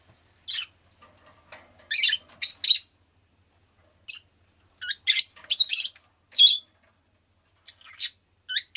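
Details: Pet rosy-faced lovebird chirping in irregular bursts, shrill, harsh high notes often in clusters of two or three, with short pauses between groups over several seconds.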